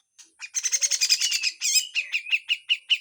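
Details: Grey-cheeked bulbul in harsh full song: a thick, fast rattle, a brief squealing twist, then evenly spaced sharp chirps about five per second, in besetan style.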